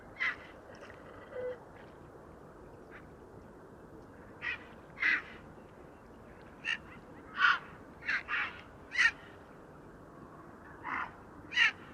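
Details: Grey Herons in trees at the Domaine de Certes, France, give harsh, rasping squawks in irregular bursts, about a dozen in twelve seconds, with brief squabbling flurries over a quiet background.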